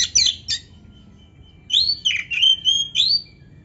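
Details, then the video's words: Oriental magpie-robin song for firing up a quiet caged kacer: two sharp harsh notes, a faint thin whistle, then a lively run of clear slurred whistles and rising sweeps. "TERAPI KACER GACOR DONGKRAK BIRAHI DAN EMOSI BUAT KACER MALAS BUNYI"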